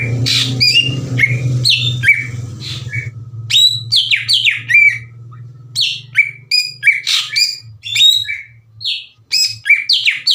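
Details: Cucak ijo, the greater green leafbird, in full song for provoking other leafbirds: fast sequences of piercing swept whistles and chattering notes, over a low steady hum that fades after the first half.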